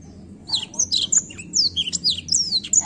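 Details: Lively black-throat song made of quick, high, sharply falling notes and short whistles strung closely together, varied and energetic, over a faint low hum.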